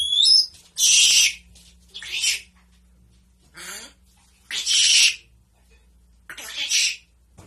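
A grey parrot opens with a quick high whistle, then gives harsh, hissing, rasping bursts roughly every one and a half to two seconds.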